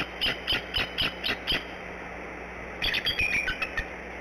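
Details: Mother bald eagle on the Decorah nest calling for the male ahead of a brooding shift change, early morning; six evenly spaced high, sharp yelping notes about four per second, a pause, then a faster, slurred burst of shrill chittering notes.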